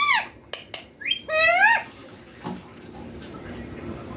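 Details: Young green Indian ringneck parakeet kept as a pet, said to talk clearly in Hindi, saying mummy papa: a few short, hoarse harmonic utterances, then a longer arched, rising-then-falling squawky phrase, followed by quiet room noise.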